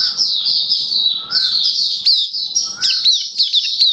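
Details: Caged Oriental white-eye, 27 October 2022. Continuous, dense high warbling with sliding whistled notes and sharp chirps, packed closely together over a low background murmur.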